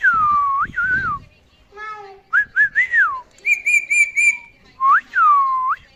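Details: Pet male rose-ringed (ringneck) parakeet, a talking bird, chatters in clear whistled swoops, rising and falling tones and buzzy, talk-like bursts.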